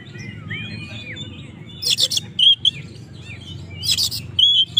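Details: Oriental magpie-robin song meant to challenge rivals: a few soft arched whistles early on, then two loud harsh bursts each followed by a bright sharp whistle, low hum throughout.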